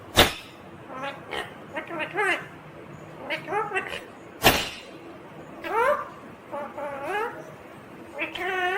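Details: Green ringneck parrot talking in a string of brief, wavering, voice-like syllables, mixed with sharp clicks or taps at the start and middle.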